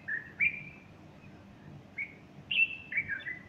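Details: On a Sunday morning, 30 August 2015, a bulbul sings near a female fluffing her feathers. Short fluty whistles, some rising and some falling, come in two loose groups with quiet moments between them.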